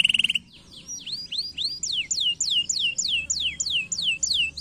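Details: Canary song meant to stimulate and train lazy canaries: fast high whistled notes sweeping downward, repeated in a rapid trill about three times a second, over a low background hum and a brief buzzy burst at the start.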